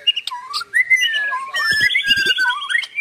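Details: White-rumped shama singing: varied clear whistles sliding up and down, with a rising then falling glide and a few higher sharp notes, plus some short clicking sounds.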